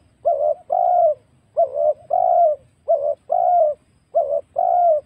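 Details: Wild spotted dove recorded as a lure for trapping birds: soft, mellow coos in paired phrases, a short note followed by a longer wavering coo, repeated four times within five seconds against a quiet background.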